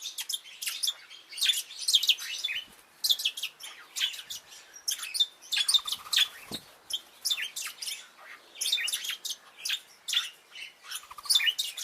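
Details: Several Bourke's parrots keep up a busy stream of high, sharp chirps and twittering phrases, almost continuous with short breaks, in a small room.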